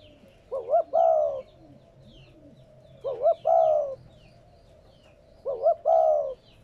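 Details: Spotted dove cooing, a recording used to stimulate newly caught captive doves to coo: three two-part phrases, a short wavering double note and then a longer, falling, hoarse coo, repeating about every two and a half seconds. Faint chirps sound in the background.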